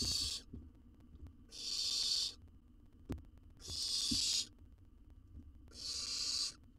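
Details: Wild owl chick in a nest box in Israel, devouring a whole jird, repeats a harsh, hissing screech four times, about every one and a half to two seconds, with an occasional sharp click.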